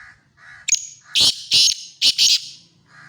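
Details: Black francolin from Khushab giving its grating call: an abrupt rising click-like note followed by four loud rasping bursts in paired rhythm, with a soft low hum and faint warble around it.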